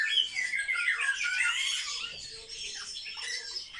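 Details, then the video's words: Several captive sparrows, kept indoors and described as very social birds, chatter together in a dense overlapping stream of high, squeaky chirps and short squawks, with a faint steady low hum underneath. "Воробьи - Sparrow"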